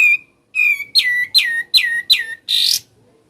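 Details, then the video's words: Sooty-headed bulbul, ngebren song: a clear whistle, then a string of five loud, downward-slurring whistled notes about every half second, closing with a harsh, scratchy burst. "SUARA ASLI NGEBREN"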